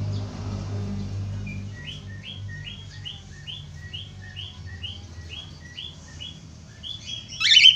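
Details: Budgerigar, known locally as falk or parkit australia, sounding to prompt other budgerigars to sing: a steady series of about a dozen short, clipped chirps, roughly two per second, ending in a loud harsh squawk burst over a low background hum.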